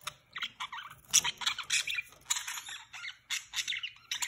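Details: Pet budgerigar pair mating for the first time: busy, scratchy chatter of short warbled notes and squawky bursts, with rapid bright clicks and buzzy chirps in quick succession, broken by brief pauses.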